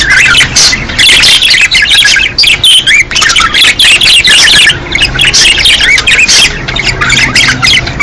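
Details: Breeding-season budgerigar chorus meant to encourage females to lay: many birds chattering at once, a busy mix of scratchy warbles, high chirps and squawks with brief dips in loudness.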